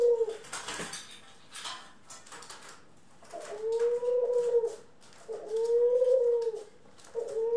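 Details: A pet dove, from a group of ringneck, Senegal and hybrid doves, gives long, low, steady coos, each about a second long and repeated every couple of seconds. It was recorded on 25 April 2021, with faint rustling in a small room.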